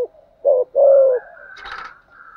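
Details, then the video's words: Decoy-training call of a spotted dove meant to make captive wild birds coo back: two deep, soft coos, the second long and gently falling, followed by a harsher, higher rasping noise. "Tiếng chim cu gáy dùng kích bổi và tập mồi bài bản/ thúc gù, gáy gọi/ kích thích bổi nghe gáy theo"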